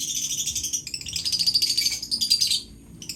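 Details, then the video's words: Lovebirds kept as pets, giving rapid, high chattering chirps in a steady pulsing run for about two and a half seconds, ending in quieter scattered notes. "Beautiful Love birds Parrot"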